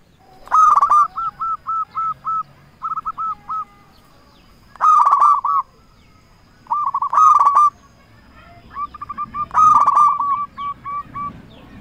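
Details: Local zebra dove lure song, used for trapping and to make rival doves answer: four bursts of rapid hooked cooing notes, each opening with a loud rough note, spaced by short pauses with softer note runs between.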